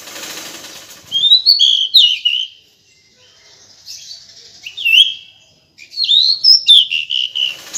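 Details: Calls from a female decu come as short clusters of high, squeaky whistles and rising chirps in three separate bursts, over a faint hiss of background noise.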